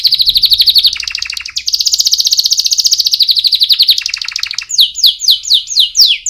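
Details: Canary singing for chicks as a training song, moving through several rolling trills that step between higher and lower pitches, then ending in rapid descending whistled slurs.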